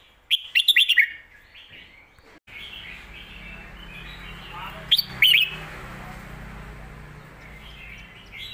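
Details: Red-whiskered bulbul song for teaching young birds: a quick run of whistled notes, then quieter warbling over a rougher background hiss, and a second short bright whistled burst near the middle.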